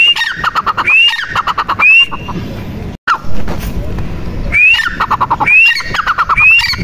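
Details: Female grey francolin uttering upslurred whistles amid rapid clicks. A quiet gap of a couple of seconds interrupts before the repeated calling resumes.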